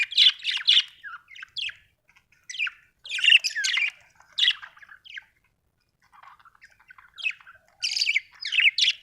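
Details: Happy budgerigar, an Australian bird, chirping in rapid bursts of bright, scratchy notes with short squawks and warbles, in clusters separated by brief pauses.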